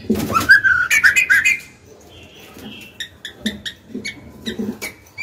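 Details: Female white-rumped shama, a kept bird, singing to push young males and cocks into song: a rapid warbled run of whistled notes lasting under two seconds, then scattered dry clicks and soft ticks.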